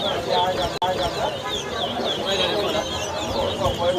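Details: Towa towa birds in a whistling competition at a bird ground in Lusignan, Guyana, 2023: bright whistled phrases with looping, rising and falling notes, under constant crowd chatter and voices.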